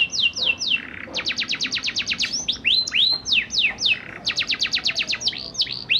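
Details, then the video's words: Canary song for prompting young canaries still learning to sing: fast, even trills of steeply falling whistles broken by looping, curved notes and a brief buzzy passage. "PANCINGAN KENARI PAUD BELAJAR BUNYI NGEROL SANGAT AMPUH UNTUK MERANGSANG KENARI BAHAN AGAR IKUT BUNY"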